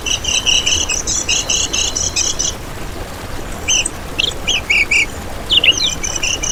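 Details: Kecial kuning lure recording: about two and a half seconds of steady high buzzy chirping, a quiet gap, then scattered sharp slurred calls.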